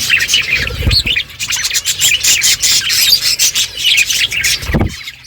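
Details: A group of budgies eating and chirping, giving dense scratchy warbles and quick high tweets, with a couple of low thumps and sharp clicks from seed handling.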